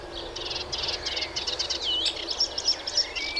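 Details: Melodious warbler singing a fast, scratchy chattering phrase of buzzy notes mixed with a few clear whistles, delivered rapidly and unevenly.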